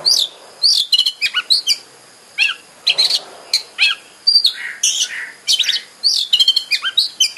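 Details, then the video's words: Oriental magpie-robin (kacer) song used as a lure to make a bird sing and spread its tail: dense run of sharp, high chirps, whistles and buzzy notes in quick bursts with brief pauses, over a steady high hiss. "Pancingan KACER agar GACOR dan EMOSI BUKA EKOR"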